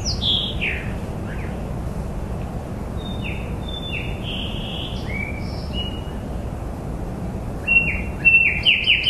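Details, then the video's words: Bird calls outdoors: a few high swooping whistles at the start, scattered soft sliding notes through the middle, and a fast burst of descending chirps near the end, over steady low background noise. "Bird chirping bird singing bird sounds"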